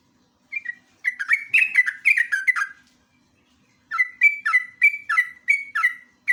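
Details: Sooty-headed bulbul, known locally as jogjog or trucuk, in a lure and master recording of lively ngeropel song: a burst of bubbly, slurred whistled notes near two kilohertz, a pause, then a second run of evenly spaced phrases.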